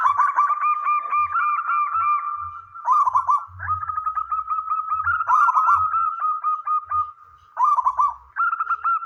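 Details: Singing male zebra dove, local wild-bred contest bird, used to coax other doves to call; continuous chains of quick, bubbling coo notes with a sustained tone beneath, and faint low thuds repeated throughout.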